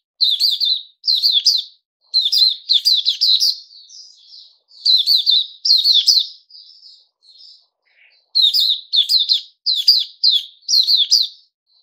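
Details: Caged Puteh Raja bulbul delivering energetic bursts of chirped, warbling notes, grouped in twos and threes, broken by a quieter soft twittering passage midway before loud chirping phrases resume.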